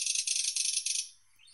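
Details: A dense, high, dry rattle from a thrush nightingale pulses rapidly for about a second, then gives way to a short rising whistle.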